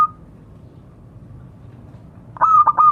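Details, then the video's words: Calling local zebra dove, used to attract others: a brief cut-off note at the start, then a single stuttered burst of cooing pulses near the end after a quiet gap. "Suara burung perkutut memanggil kawan."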